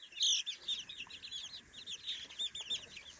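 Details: Three-week-old chicks exploring a new playpen, chirping loudly in high, looping peeps repeated several times a second, many birds overlapping.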